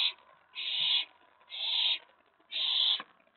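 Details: An owlet grows excited when a mouse is brought in at night, May 19, 2017. Three long, raspy hissing screeches sound at about one-second intervals, with a faint knock near the end.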